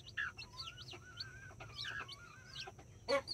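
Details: Chicks with two mother hens in a Colombian backyard, nine chicks including five Brahma and four mini chickens; rapid high descending and rising peeps overlap with longer whistled trills, ending in a loud short squawk.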